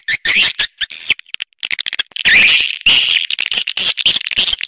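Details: Swiftlets twittering in bursts of harsh, squeaky high chirps, broken by short silences, with one longer buzzy trill in the middle.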